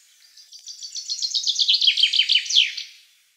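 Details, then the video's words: Chaffinch, Black Sea subspecies, sings a cascading phrase: high, evenly spaced chips speed up and grow louder, slide down into a lower rattling trill, then finish with an accented, down-slurred end note. Nothing else is heard. "Как поёт Зяблик, черноморский подвид"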